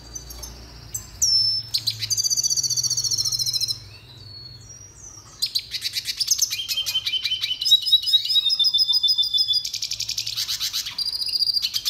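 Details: Red siskin, a small South American finch, singing a fast, high twittering song of buzzy trills, rapid repeated notes and sweeping whistles, with a brief pause before the song resumes.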